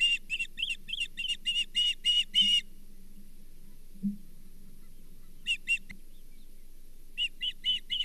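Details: Osprey at the Charlo nest on 24 April 2023 with a shared brown bullhead; a quick burst of shrill chirps, a pause with a soft thump, then short pairs and a closing run of chirps.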